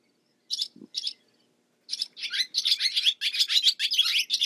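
Barn swallow song: two short chirps, then a fast, scratchy twittering run of high notes that keeps building without a break.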